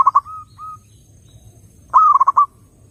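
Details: Song of a zebra dove, used to pull other doves in: a short stuttering cooing burst with two soft trailing coos, a pause, then a second loud rapid run of mellow notes.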